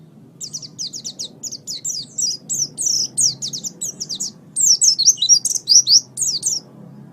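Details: Master recording of an Oriental white-eye for training birds: a continuous, fast twittering song of high, thin, slurred notes, some rising and some falling, tumbling over one another for about six seconds. Soft low hum beneath.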